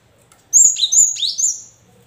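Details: Cinereous tit singing a lure phrase meant to spur idle caged birds to answer. Four quick clear whistles alternate between a high pitch and a lower, falling one in one continuous, ringing burst.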